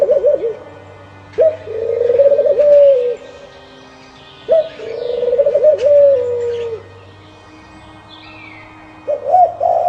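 A dove gives low, mellow cooing phrases, each a short rising note followed by a wavering run of soft coos, repeated about every three seconds; a faint hum underneath.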